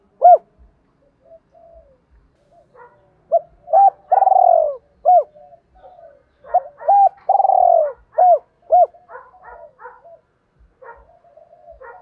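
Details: Spotted dove, 'thổ' voice style, mixing the fight-provoking challenge call with its calling song. Several low mellow coo phrases, each built of short hooked notes around a long vibrating purr, with softer coos between phrases and faint clicks.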